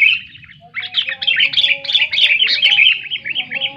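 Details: Loud song of a sooty-headed bulbul, used to coax quiet bulbuls into song: a short opening note, a brief pause, then a dense stream of warbling, chirpy notes over a faint low hum.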